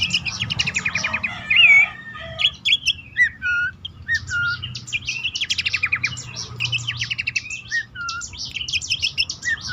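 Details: Caged bush warbler used as a lure call to prompt silent, stressed or stubborn caged birds to sing, best played at dawn or night; busy chirping song of rapid ticking trills and clear slurred whistles, with a low background hum.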